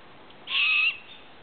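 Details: Owl calling at a campsite: a single harsh, hissing screech lasting about half a second, steady in pitch and ending abruptly, over faint background hiss.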